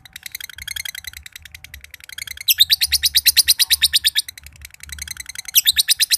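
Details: Long ngekek of a josan lovebird from Mojokerto, a trill said to set other birds trilling: soft rapid chatter that swells into loud, shrill, evenly pulsed bursts with short pauses between.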